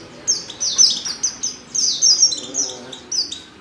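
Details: Oriental white-eye female calling to provoke male song: rapid run of high, sweet twittering chirps, closely packed and slightly overlapping, with a soft low hum underneath.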